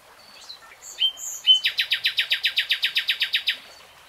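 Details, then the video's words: Nightingale in song: a few thin high whistles lead into a fast, even series of about fifteen loud sharp chopped notes, then the phrase ends cleanly in near quiet. "Nightingale Singing"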